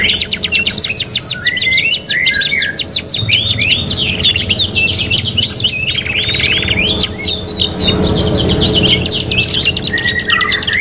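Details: Long stretch of canary song from a 3-in-1 training master: rapid steady rattling trills and dense repeated chirps, broken by lower warbled phrases, with a soft hiss of noise mid-way.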